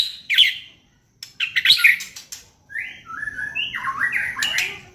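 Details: White-rumped shama used as a lure to provoke singing. Harsh, noisy bursts, then a series of clear whistled notes stepping up and down, each about half a second long.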